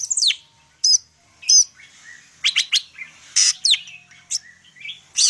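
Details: A Medan greater green leafbird sings spaced phrases of sharp, high chips and brief whistled slurs, with occasional harsh buzzy bursts and short pauses between notes.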